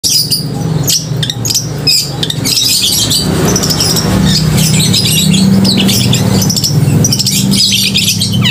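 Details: Long-tailed shrike singing vigorously, its voice described as crystal-clear and loud, meant to stir emotion and mating urge in other shrikes; harsh squawks and chattering high notes come in irregular bursts over a steady low engine-like hum.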